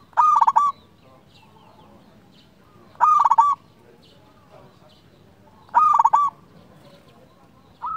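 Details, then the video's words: Zebra dove, local Indonesian bird, singing to rouse and lure other doves: three loud, rolling, stuttered coo phrases repeated about every three seconds, with the start of a fourth at the end. "Perkutut lokal gacor RAJA PIKAT ini ahlinya bikin semua burung perkutut gacor NYAUT"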